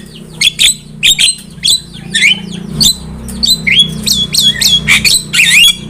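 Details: Javan myna song as a trapping lure: repeated sharp doubled chips and rising whistled notes, roughly one or two a second, over a steady low hum.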